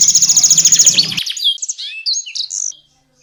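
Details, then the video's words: Canary tutor song for competition songbird training, with konin and blackthroat bursts: a loud harsh rattling trill that breaks into high sliding whistles and short chirps, then silence. "KENARI GACOR UNTUK MASTERAN BURUNG JAWARA| full tembakan konin dan balckthroat"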